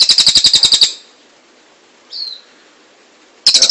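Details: Cililin song for training cage birds: a rapid, high, pulsing trill of about ten evenly spaced notes, a long pause broken by one thin downslurred whistle, then the quick trill starts again.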